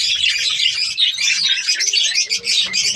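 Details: Dense budgerigar chatter from a captive breeding colony: shrill, warbling chirps from many birds running together without pause, with some softer lower tones in the background.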